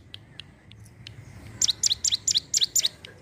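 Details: Sunda warbler: after a quiet start with a few scattered faint ticks, a burst of loud, sharp, high double chirps repeated about twice per second over the second half, with soft low background rumble.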